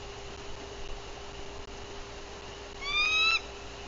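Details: On guard at the nest in Bluff City, Tennessee, in April 2023, a female bald eagle gives a single high, whistled alert call near the end after quiet background hiss, caught on a nest camera.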